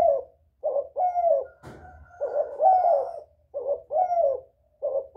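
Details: Spotted dove cooing as a lure to draw in other doves. Repeated low, throaty coo phrases come in close succession with brief gaps, interrupted once by a short knock-like click, over a faint low hum.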